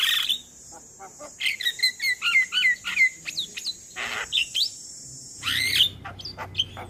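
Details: Javan myna male calling companions, used as a lure to attract mynas: a harsh opening note, then a busy chatter of clear whistled slurs and clicks, with a loud rasping burst near the end.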